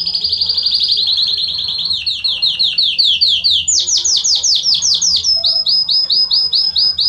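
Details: Belgian canary singing to warm up another canary, a continuous rolling song of fast repeated downslurred notes that shifts pitch through several tours, jumping higher midway, then settling into evenly spaced whistled notes.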